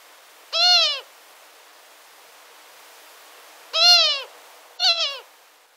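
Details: Female long-eared owl near the nest giving contact calls: three nasal, drawn-out, harmonic-rich mewing notes, slightly descending, the first two about three seconds apart and the third shorter, over faint steady background hiss.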